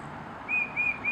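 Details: Breeding pair of tufted titmice during nest building, the female calling the male to collect more nest materials; three clear, flat whistled notes of steady pitch, each about a sixth of a second, repeated in quick succession over faint background hum.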